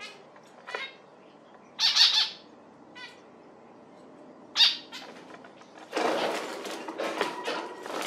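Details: Zebra finch calls as a few sharp, nasal notes separated by pauses, then a burst of broadband rustling and flapping noise fills the last two seconds.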